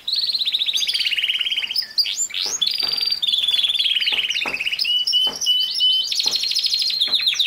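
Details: Canary singing for training a young male canary; a varied, continuous song of rolling trills, pure held whistles and sharp slurred notes, bright and high throughout with brief pauses between tours.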